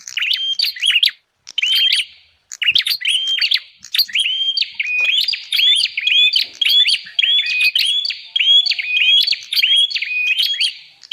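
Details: Bar-winged prinia calls used as a lure to attract wild birds: dense series of sharp high chirps, each rising into a flat whistled note, repeated rapidly in bursts with brief gaps, continuing almost without pause.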